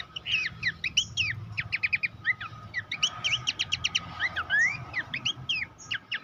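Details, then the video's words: Horsfield's babbler master song for preparing songbirds for competitions: continuous rapid chirps in tight repeated series, mixed with upward and downward whistled sweeps, lively and varied across the whole stretch over faint low noise. "masteran mewah khas pelanduk semak"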